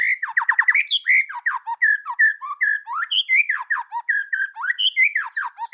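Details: White-rumped shama in forest-voice song, loud and varied: a quick run of repeated downslurred whistles, then a stream of swooping, falling and rising notes with little pause.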